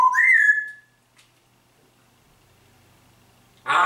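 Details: Pet grey parrot that mimics speech and the pop song Atemlos durch die Nacht. A loud whistled note rises from a lower pitch to a higher one and holds briefly, then quiet room tone, then a sudden noisy burst at the end.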